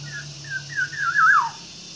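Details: Nine-day-old green pigeon nestling being hand-fed, given banana. Thin whistled begging notes waver and slide, with short phrases building to a longer rising-then-falling whistle near the end. A steady low hum runs underneath.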